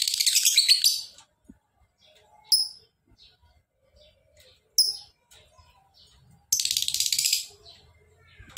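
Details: Lovebird in full, energetic song: a rapid rasping chatter opening, two sharp high squeaks, then a second long buzzy ngekek trill lasting about a second.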